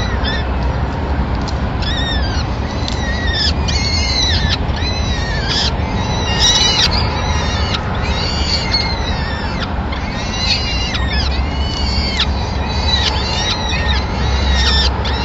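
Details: Peregrine falcon family in Madrid, 26 April 2016, during the first feeding of the day, with the male bringing a small bird for the chicks. Dense, overlapping, rasping calls with arched pitch run continuously, backed by a low hum.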